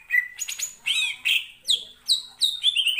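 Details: Greater green leafbird, provoked by another bird's song, singing a varied run of clear whistled notes and rapid descending slurred phrases at high pitch, each phrase a fraction of a second, repeated several times a second.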